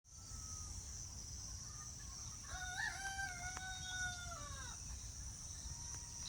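A rooster gives one long crow of about two seconds, rising, holding, then dropping away. Faint bird calls, a steady high insect-like hiss and low rumble continue throughout.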